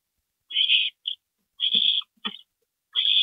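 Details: Owl nest at night, April 22, 2012, 2:40 AM, parent stopover: raspy hissing screeches, one long and one clipped, followed by another long hiss, with soft thumps and scraping between them.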